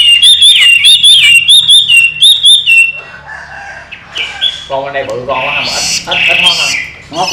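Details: Chinese hwamei, a trained cage bird, pouring out fast repeated whistled notes for about three seconds, then softer, noisier sounds and a harsher voice follow.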